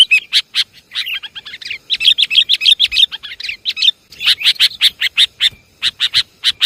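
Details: Sooty-headed bulbul lure sound: a dense series of sharp, bright chirps delivered in quick irregular bursts with brief pauses, busy and excited in tone.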